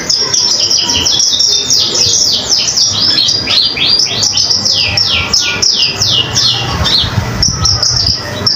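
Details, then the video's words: Common iora singing energetically for songbird training: a dense stream of high downward-sweeping whistles, overlapping in places, slowing toward the end, over a faint low hum. "Konin Gacor Untuk masteran burung kicau yang lain"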